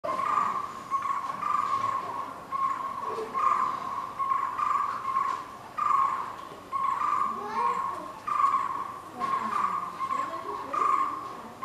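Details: White-cheeked barbet in Bangalore giving a steady run of low, throaty croaking notes, repeated in rolling bursts without pause; faint background hum underneath.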